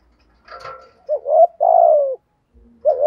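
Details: Spotted dove kept as a decoy, cooing to provoke wild doves into calling; a soft rough note, then two quick rising hoots and a drawn-out descending coo, with another phrase starting at the end.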